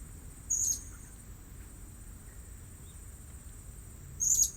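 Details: Blue-crowned hanging parrot at a new luring spot: two brief, piercing high chirps about three and a half seconds apart, with a quiet background and a faint steady high tone.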